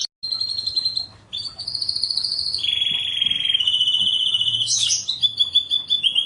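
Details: Canary tutor song, super melodious and prolific: a short pause, then long flat trills at varied pitches, a lower buzzy roll and a sudden bright flourish.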